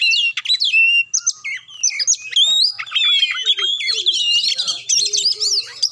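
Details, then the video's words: Oriental magpie-robin song meant to provoke a reluctant bird into singing: a rich, varied stream of high whistles, sharp chirps and rapid slurred phrases, with quick changes of pitch and short pauses between bursts. "Cukup Satu Menit Kacer Susah Bunyi Dijamin Langsung Ngamuk Dengar Suara Kacer Satu Ini"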